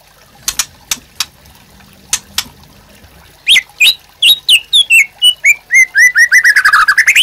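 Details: Master song of a white-rumped shama for training caged birds: several sharp ticks, then loud whistled phrases that speed into a rapid series of repeated downslurred notes, ending on a rising whistle.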